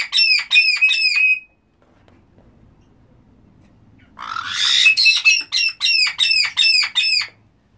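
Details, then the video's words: Black-headed caiques giving loud, shrill, repeated arching call notes, a short burst first, then a harsh screech leading into a fast run of about seven ringing notes; faint low hum between. "Black headed caiques"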